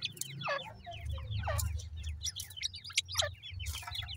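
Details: Captive grey francolin chicks calling loudly, sharp descending cheeps tumbling over one another from a small group, over a steady low rumble.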